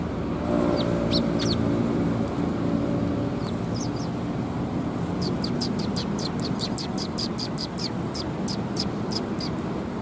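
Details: Sparrows coming to be fed at a Tenmangu shrine on 25 January 2021: a few scattered sharp chirps early on, then a quick run of high, clipped chirps over the last five seconds, above a steady low traffic rumble.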